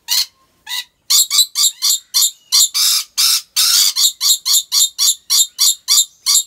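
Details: Rainbow lorikeet at Taman Satwa Gurun Putih Lestari, Aceh: rapid series of short, harsh, metallic chattering notes, about three or four each second, with longer raspy screeches in the middle of the run.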